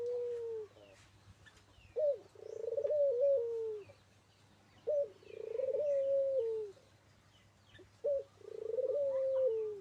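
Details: Local puter dove singing actively: three cooing phrases, each a short clipped note followed by a long purring, slightly rising then falling coo, repeated about every three seconds, with a steady low hum behind.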